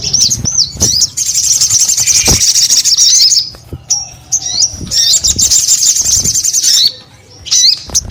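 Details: Crested Jay in full voice: looping high whistles, then long bursts of rapid shrill trilling separated by short quiet gaps.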